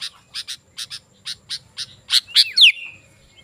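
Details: Sooty-headed bulbul in steady song, used to call wild bulbuls in the forest: evenly spaced high chirps build into louder notes and end in a sweeping downward whistle that trails off.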